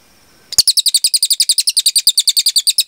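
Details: Cililin, the velvet-fronted nuthatch, delivering a vigorous long burst for songbird tutoring: clear, very high, sharp chips repeated quickly and evenly at about eight per second after a brief silence.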